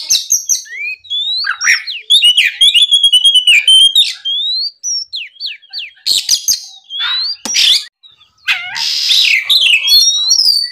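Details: Rich, continuous song of an Oriental magpie-robin in the morning, used to provoke rivals: a rapid series of ticking chirps and whistled slides, broken by harsh buzzy bursts.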